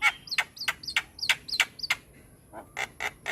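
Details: Gacor Javan myna with white eyes on a master track: short harsh notes, each paired with a tiny upward chip, repeated about three times a second, then a few softer rasps.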